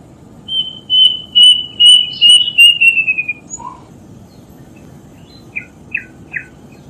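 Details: A quick series of high whistles from a death bird, starting level and gliding lower as the notes shorten, followed by quiet and then three faint, brief chirps.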